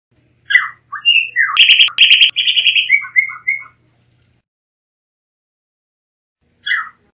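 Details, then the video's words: Blue mockingbird, which feeds at all levels of foliage and sometimes on the ground, singing slurred whistles, a harsh rasping burst, then a run of short chirps and a lone note after silence. "Mulato Azul Canto - Blue Mockingbird Bird Song"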